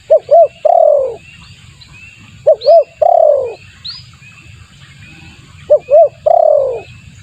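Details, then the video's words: Spotted dove lure call used for attracting birds: three phrases, each two short hooked notes then a long descending coo, repeated about every three seconds, with faint high chirps of other birds. "suara pikat tekukur bagus untuk pancingan"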